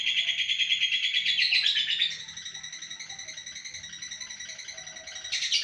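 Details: Lovebird of the fighter type giving its long 'ngekek' trill: a rapid, high, buzzy chatter repeated about three times per second, loud for two seconds, then continuing softer before a brief loud burst at the end.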